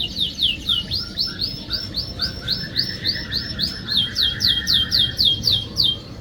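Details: Canary singing as a lure to coax a silent canary into song. Bright upswept whistled notes repeat about four times a second, with a lower warbled trill running beneath them, over faint background noise.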